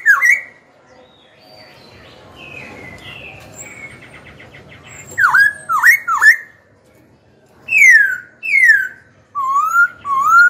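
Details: Young Black-throated laughingthrush singing to provoke rival wild-caught birds into fighting and to train young birds' voices: loud clear whistles, some rising, some falling and slurred, in bursts separated by pauses, with faint low background hum.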